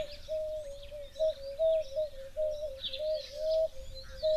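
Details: Starlings at an African waterhole on 13 February 2025 give scattered high, squeaky chirps and short whistled slurs in an irregular chatter, over a steady low mechanical hum.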